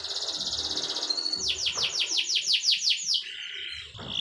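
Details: Canary singing: a fast high trill, then a run of descending whistled sweeps, ending in a softer buzzy note.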